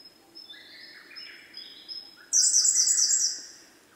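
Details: A male Siberian blue robin gives faint high thin whistles, then bursts into a very high, fast, shimmering trill of rapid repeated notes for about a second.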